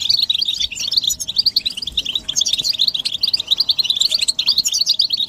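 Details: Group twittering of European goldfinches, given as mating and readiness calls meant to rouse silent males into song: a steady stream of bright, rapid, high chirps overlapping throughout.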